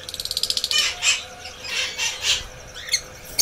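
A red lory gives a quick run of about fourteen dry clicks, then several harsh, grating screeches spaced under a second apart.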